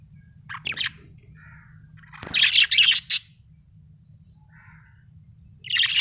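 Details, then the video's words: Small parrot giving short clusters of sharp, high chirps separated by pauses, with a few softer buzzy notes between the bursts and a faint low hum beneath. "Buetifull small parrot🦜chirping sound"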